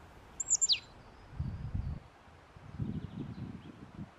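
Eurasian nuthatch giving two or three quick, thin, high notes that slide steeply downward, followed by low rumbling wind or rustling.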